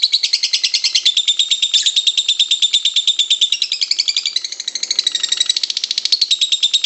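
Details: Lovebird performing ngekek panjang in the kusumo style, the long chatter used as a training master. It is a loud, unbroken, rapid, buzzy trill of about three notes per second, shifting slightly in pitch midway, with no other sounds.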